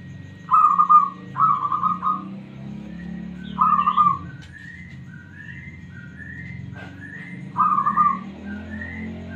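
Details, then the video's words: Smooth-voiced local zebra dove (perkutut), a responsive bird used to draw others into song: four rippling, beaded coo phrases, while another bird gives repeated short rising whistles in between, over a low hum. "PERKUTUT LOKAL SUARA MULUS 💯% Nyaut..."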